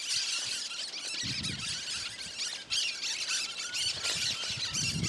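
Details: Cactus parakeet singing free in the wild in the Caatinga sertão of Bahia, Brazil: a dense, continuous run of harsh, grating screeches and squawks with barely a pause, plus some low rumbling noise.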